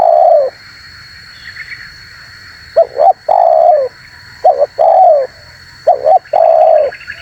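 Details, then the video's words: Energetic spotted dove call used as a lure: a long falling coo, a pause, then three phrases of paired short coos each ending in a drawn-out downward coo, over hiss and a faint steady tone. "MP3 Suara TERKUKUR GACOR ‼️semua burung pada ngumpul"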